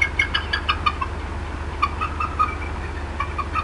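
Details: Upset female bald eagle clucking at the Decorah North nest on an April 2016 afternoon. Quick strings of short, bright, chattering notes with ringing overtones, briefly pausing mid-clip, over a constant low background hum.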